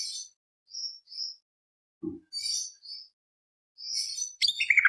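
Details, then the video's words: Greater green leafbird giving a lively 'full isian' lure song in tembak beset roll panjang style: short high whistled chirps in small groups, a low thump midway, and a loud descending sharp phrase at the close. "PANCINGAN CUCAK IJO BIAR EMOSI ~ CUCAK IJO GACOR FULL ISIAN ~ Tembak Beset Roll Panjang / Masteran"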